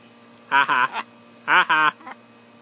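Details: A female pet blue-and-yellow (blue-and-gold) macaw on a person's shoulder, talking and jabbering: two quick bursts of speech-like syllables, each two or three rough, voiced notes about a second apart, over a faint steady hum.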